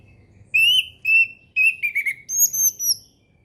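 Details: Orange-headed thrush singing in the relaxed ngeplong style, used as a lure for young birds learning ngeplong: clear whistled notes near one pitch, then a falling slurred phrase and higher drawn-out whistles, in a quiet setting.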